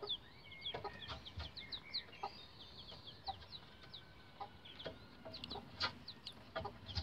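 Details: Young Rhode Island Red bantam chicks around 11 days old on a chicken ladder, giving many shrill, quick peeps in overlapping bursts, plus occasional longer whistled notes and light tapping sounds.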